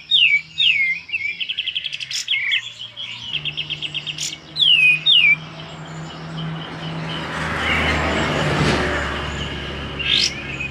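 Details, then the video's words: Sooty-headed bulbul at home, a lively singer used as a lure but not yet opening its tail, delivers falling whistles and rapid trilled bursts for several seconds, then a broad rushing noise takes over. "kapas tembak gacor tapi belum bukak ekor,cocok untuk pancingan dirumah"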